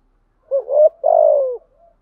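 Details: Single phrase of a spotted dove's urging 'thúc gù' coo in the earthy 'giọng thổ' style: a short hooting double note that rises, then a long, steady, slightly falling low coo with a soft tail.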